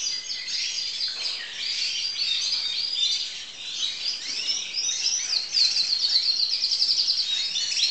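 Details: Crested canary, a singing student from 2012, warbling in varied high chirps, then breaking into a fast, evenly repeated trill of sharp notes near the end.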